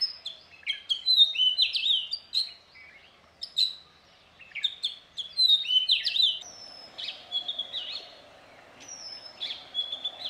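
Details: Male Oriental magpie-robin singing near Satpura in Central India: loud, varied phrases of sharp whistles, slurred sweeps and chirps, delivered in bursts with short pauses, the later notes longer, clearer descending whistles.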